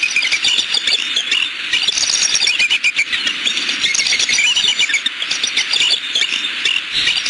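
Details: Bald eagles at a nest in southwest Florida, filmed by a nest camera on the afternoon of 14 December 2015, calling out at an intruder nearby: dense, high, squealing chatter of rapid repeated notes runs through the whole stretch, with constant background hiss.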